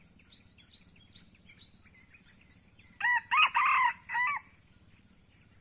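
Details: In Aceh, a red junglefowl crows after a stretch of soft chirping from other small birds: four loud ringing syllables, two long strong middle notes, ending in a lighter tail, over a constant high hiss.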